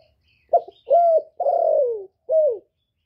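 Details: Spotted dove giving one cooing phrase in the thổ voice style, meant to stir newly kept males. A clipped opening note, a level coo, a long drawn coo sliding downward, then a short falling final note, with no background noise.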